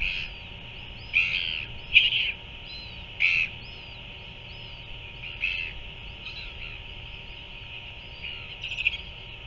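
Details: Royal albatross chick being fed by a parent in New Zealand, nest camera footage from late afternoon, 7 February 2024; scattered short, rasping squeaks, several strong ones early then quieter, set against a steady background hiss.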